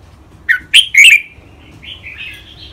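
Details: Red-whiskered bulbul in a cage, trained for Thai singing contests, gives three loud, sharp whistled notes in quick succession, then trails into a softer, drawn-out, wavering warble.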